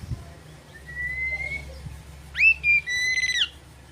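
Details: Oriental magpie-robin, a lively singing bird, song meant to provoke rivals: a faint long whistled note, then a louder phrase of clear, sweet whistles with a short rising start, a level middle and a falling end, over a steady low hum.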